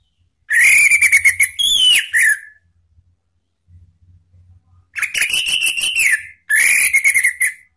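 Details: Orange-headed thrush heard in a rival-provoking recording: long buzzy, steady whistled phrases with rapid clicking beats, three bursts separated by a quiet gap with faint low hum.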